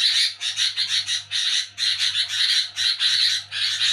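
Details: At night a sooty-headed bulbul gives its noisy nyerecet chatter, short grating buzzy bursts strung tightly together with a few brief pauses. A faint low hum runs underneath.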